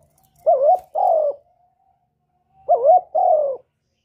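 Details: Spotted dove singing in the 'kuk 1' style, used to lure other doves: two paired coos. In each pair, a wavering, inflected first note is followed by a smooth, longer, slightly falling second note, with the pairs about two seconds apart.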